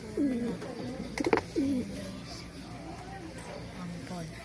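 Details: Pigeons cooing during feeding: a couple of low, throaty coos near the start with a brief clatter between them, then softer, fainter cooing continuing in the background.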